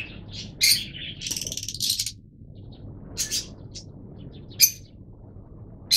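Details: Yellow mutation Fischer's lovebirds, captive, making scattered shrill chirps and a brief chattering cluster early on, then isolated sharp squeaks, with a constant low rumble of background noise.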